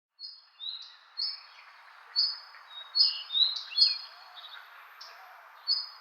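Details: Bird chirping: short high chirps and flat whistled notes repeated irregularly about every half second to second, over a soft continuous hiss of background noise.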